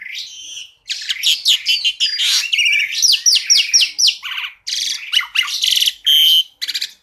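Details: Tembakan-style masteran song of an Asian pied starling, richly varied: continuous harsh chattering mixed with repeated downslurred whistles, rattling bursts and one steady pure whistle near the end.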